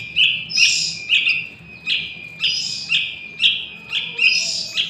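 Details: Young wild Yellow-vented Bulbul giving harsh, buzzy chirps repeated about twice a second, high-pitched and insistent, with a faint low background hum.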